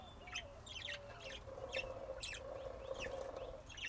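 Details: Budgerigars calling with short chirps and rising-falling warbled notes around the upper register, spaced irregularly over a steady low hum.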